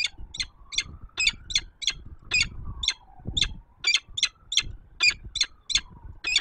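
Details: Peregrine falcon, a female, calling at her nest high on a Warsaw tower in Poland at 06:54 on 19 September 2024. She gives a steady series of grating, clipped kek notes in quick succession over a faint wavering drone and a low rumble.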